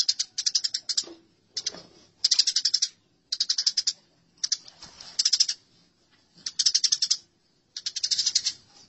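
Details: House sparrows fighting: harsh, rapid chattering rattles in short bursts of about half a second, separated by brief silences, with around seven bursts in total. The notes are high and dry.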